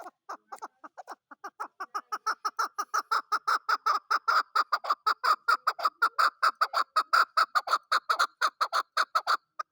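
A chukar partridge gives a long, accelerating run of harsh chuck notes, building into a rapid, steady chatter of clucking calls.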